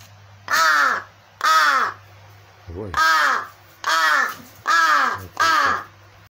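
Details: Pretend-hungry begging from a crow that is actually well fed, uninterested in a baby rattle; six loud, hoarse, down-curving caws nearly every second, one brief low throaty note between, with a low hum behind.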